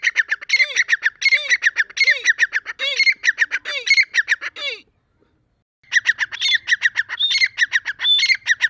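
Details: Loud grating calls of a Deccani grey francolin during breeding season. Rapid clicking, squawky phrases with curved low notes repeat, stop for about a second, then resume in a steady rhythm.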